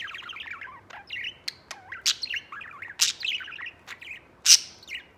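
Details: Singing white budgie kept as a pet: rapid chattering warble of looping chirps and twittering notes, broken by several loud sharp clicks and a squeak near the end.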